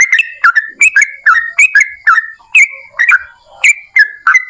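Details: Energetic yellow-vented bulbul song used to provoke other bulbuls to sing: a string of liquid whistled notes, each with a sharp attack then a falling or level tail, about two or three per second.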